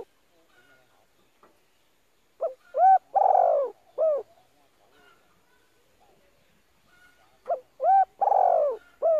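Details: Female spotted dove calling, used to excite decoy birds for training: two mellow cooing phrases about five seconds apart, each a short note, a quick rising double coo, a long drawn-out coo, then a final short coo, with quiet background.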